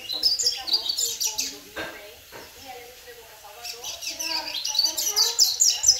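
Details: A 10-month-old double-collared seedeater (Sporophila caerulescens) kept in the United States keeps up a rapid, high twittering of chips and short warbles, with a lower voice murmuring underneath.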